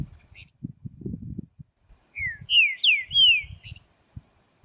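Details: Wild green-winged saltator singing free in nature at Prados, Minas Gerais, Brazil: a short series of loud, clear whistled phrases, sliding down then up, about a second and a half long, with soft low rustling and thumps around them.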